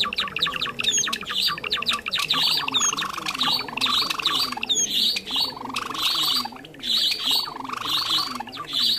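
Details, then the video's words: Java sparrow lure call for trapping, a bird of rice fields and farmland. Bursts of bright chattering chirps in pulses about every two seconds, with occasional sharp high whistles over a faint low background hum. "AMPUH SUARA PIKAT BURUNG GELATIK JAWA"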